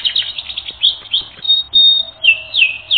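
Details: High, sweet chirping phrases from a canary for song training: quick twittering notes, a held whistle, then three looping downslurred whistles in a row.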